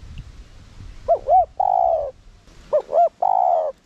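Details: Spotted dove calling to provoke other doves, two phrases each of two quick looping notes followed by a long, deep, hollow coo.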